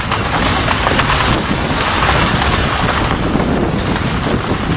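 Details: Steady roaring wind noise with crackling rattles, and no animal calls audible.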